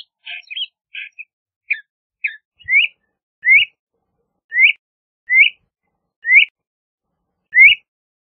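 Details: LeConte's thrasher starts with a few short burry chips, then repeats a clear upslurred whistle six times at intervals of about one second.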